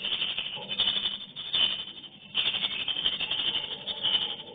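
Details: Swiftlets in a colony flying into their nesting house give a busy, rattling chatter of high chirps, with a brief lull near the middle before the noise swells again.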